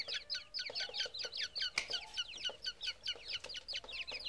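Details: High, sharp peeps from a group of grey francolin chicks, each falling in pitch, in quick bursts with a couple of loud clicks among them.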